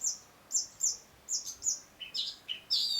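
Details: Long-tailed shrike giving short, very high squeaky whistles in quick succession, then lower chirps and a brief harsh burst.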